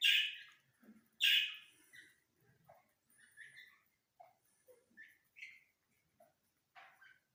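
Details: Grey francolin in a breeding setting, with chicks mentioned, gives two loud, harsh, ringing notes at the start, then scattered softer chirps and clicks over several seconds in a quiet indoor setting.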